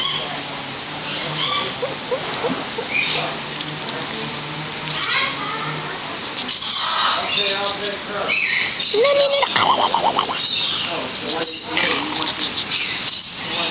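A red lory gives harsh, high screeches and squawks in uneven bursts, with human speech heard through much of the recording.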